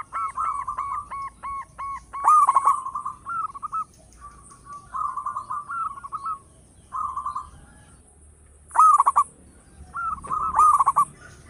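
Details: Local zebra dove with a loud voice, sung to lure other birds: clipped repeated notes open, followed by bubbling trilled coo phrases with stuttering louder bursts and pauses between them.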